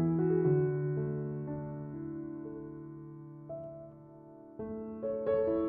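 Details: Gentle electric piano chords play slowly and fade, with no animal sounds.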